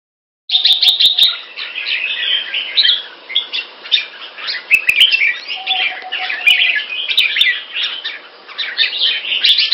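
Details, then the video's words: A caged red-whiskered bulbul with a red face, kept Singapore-style, delivers a continuous, clear and loud stream of rapid warbled chirps after half a second of silence, with occasional sharp clicks and a faint low tone. "Jambul - สิงคโปร์เลี้ยง นกหัวจุก Red face Pama Dha Burmese sword Clear Loud Keke"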